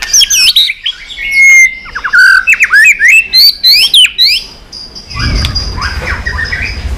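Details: White-rumped shama in competition singing while tail-flicking, delivering long varied forest-style phrases: rapid loud whistles sweeping up and down, followed by a quieter rustling, noisy stretch.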